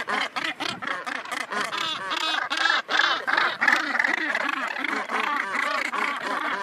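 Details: Nesting Northern gannets on Helgoland, loud hoarse grating calls repeated in quick, uneven bursts, with many birds calling together.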